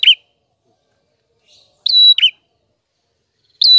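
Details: Clear-voiced prinia singing energetically: one short buzzy downward note, then a long level whistle with a falling buzzy tail, and a final whistle cut short at the end.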